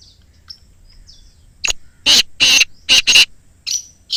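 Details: Harsh, rasping call of a black francolin from Islamabad, meant to prompt captive francolins to call: faint thin chirps first, then four loud grating notes in rapid sequence and two softer ones trailing after.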